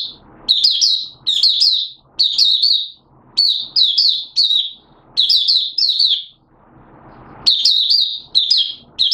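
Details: A Malaysian Oriental white-eye in minor moult, 2 April 2023, sings high, thin twittering phrases in quick bursts about once a second, with a brief low rushing noise partway through.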